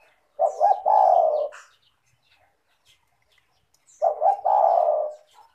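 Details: Spotted dove (tekukur) cooing, used as a lure to get lazy caged doves calling: two low phrases about three and a half seconds apart, each with short stuttered notes leading into a long steady coo, and light high chirping from small birds.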